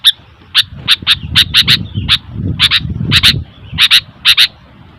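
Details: Sooty-headed bulbul giving noisy, sharp, clicking chirps, single or in quick pairs at uneven intervals, over a low rumbling background.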